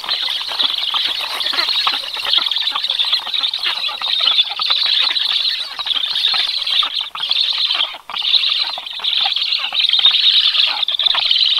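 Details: Black stork chicks at the nest during a brief 14-second feeding visit by an adult on 21 July, around 18:36: a continuous dense, hissing, rattling chorus of begging calls without breaks.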